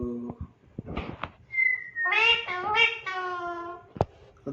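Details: Pet rose-ringed (ringneck) parakeet in a home cage talking in a high, nasal, harmonic-rich voice, running a few speech-like syllables together, with a brief whistle and short sharp notes around them.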